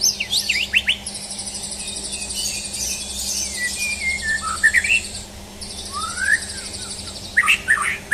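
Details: A champion white-rumped shama, tested for nerve, opens with sharp snapping notes, then a few scattered rising whistles, while a loud high trilling buzz runs steadily through most of the recording.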